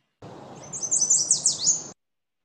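Yellow Warbler song: a quick, very high run of bright, slurred sweet notes, speeding up over about a second, over a low steady hiss.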